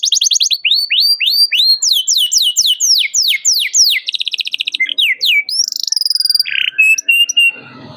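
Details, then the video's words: Canary calling out a rival, recorded as training for young canaries to learn song: repeated descending chirps quickening into a dense buzzy trill, then high whistled notes and short rattles, ending quieter with faint background noise. "KENARI GACOR CUIT CUIT MEMANGGIL LAWAN BIKIN EMOSI"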